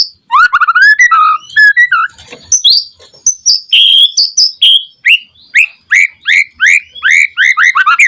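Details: White-rumped shama song meant to trigger other shamas to reply: a rising run of mellow notes, then high sharp whistles and a steady series of repeated downslurred phrases to the end.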